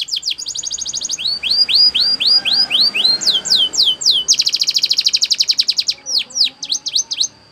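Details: Spanish Timbrado canary singing a training song: fast high trill, evenly spaced rising whistled notes, drawn falling slurs, a dense rapid roll, and scattered sharp upward notes, over light background hiss.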